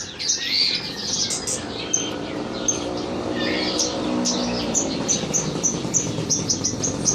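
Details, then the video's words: Horsfield's bush lark tutor song used for training birds: a busy run of high, sharp chirps and short trills, with brief whistled notes near the end, over a steady low hum. "Burung Branjangan masteran"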